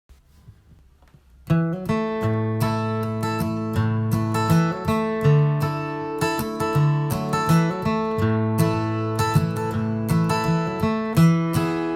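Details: Strummed acoustic guitar fills the recording after a short silence, with no animal sounds.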